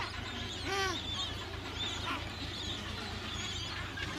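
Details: Adélie penguin breeding colony on Paulet Island, Antarctica, recorded 1 February 2019; one clear, short, harmonic honking squawk stands out near the start, followed by fainter distant calls over a low constant rumble.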